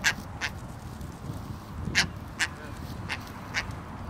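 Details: Two of six Caspian terns at Esquimalt Lagoon on 29 June 2012, calling back and forth, give short, harsh, rasping calls, about six in four seconds at an uneven pace, over a low rumble of wind or water.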